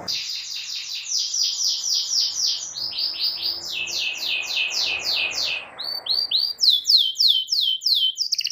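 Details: Domestic canary song played to help young canaries learn singing: long runs of rapid downward-sweeping notes, changing tempo between phrases, over a soft hissy background.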